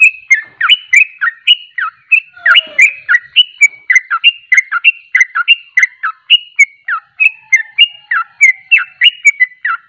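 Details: Rapid ropelan singing of a Sooty-headed bulbul (trucuk): dense, chattering runs of bright whistled syllables, each with a quick downward slur, delivered non-stop at a hurried pace.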